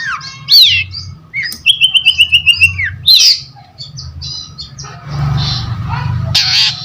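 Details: Long-tailed shrike in varied song: sharp whistled slurs, then a fast even trill of clipped notes, more rising whistles, and later rough noisy rasps, over a faint low hum.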